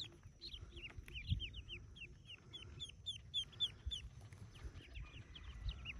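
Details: Yellow ducklings hatching in a cave nest; quick high chirping peeps in bursts from several chicks, above steady low background rumble and occasional knocks.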